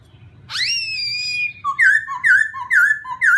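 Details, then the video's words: Laughingthrush song played to provoke a newly caught bird: a long whistle swoops up and holds, followed by a brisk series of alternating low and high whistled notes, each about half a second apart. "khướu kích bổi"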